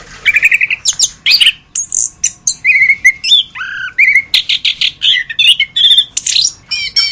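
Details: Continuous varied song of an orange-headed thrush, a masteran tutor recording: clear steady whistles, rising slurs and rattling buzzy phrases follow one another quickly, some notes swooping low, all loud and close.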